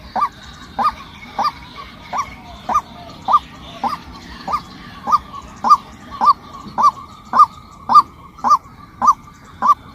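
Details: Female white-breasted waterhen giving a steady series of short, arched, nasal notes. They repeat roughly every half second, rising then dropping, with fainter chatter higher up in the background.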